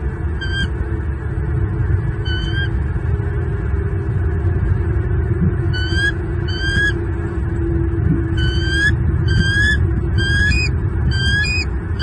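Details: On a Southwest Florida nest in February 2023, a male bald eagle repeatedly calls at an intruder near the nest tree while protecting two chicks: scattered single notes, then rapid series of shrill rising chips, with steady low background rumble throughout.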